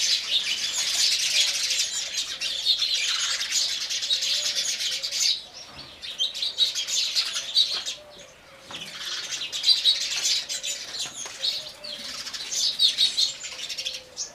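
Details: Sparrows gathered to drink water, chirping in loud chattering bursts about every two to three seconds, separated by quieter gaps with scattered single tweets and a faint low wavering tone.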